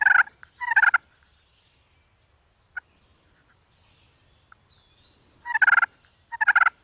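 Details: Wild turkey hen, angry, attacking a hunter's decoy: a short burst of raspy yelps, a long quiet gap with a few faint clicks, then two more tight clusters of harsh yelps.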